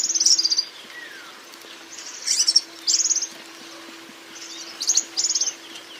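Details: Brief fragments of high, rapid, jingling twittering from a European Serin, delivered in several short bursts across the stretch with quiet gaps between, over a faint constant low hum.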